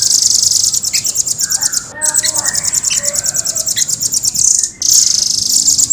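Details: Rapid, tight, very high trilling from a caged velvet-fronted nuthatch, sustained almost without break across the whole stretch, with faint lower chatter beneath.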